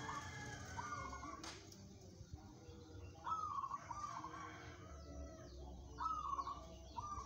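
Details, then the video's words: A contest-ready local zebra dove produces paired bursts of rolling, trilled cooing, two groups separated by a few seconds, with a sharp click early on and low ambient noise. "perkutut lokal bermental baja, cocok buat lomba"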